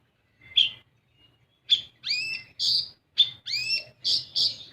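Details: Olive-backed sunbird (kolibri ninja) lure recording to coax untrained birds into song: one lone chirp, a short gap, then a fast run of piercing chirps and swooping whistles.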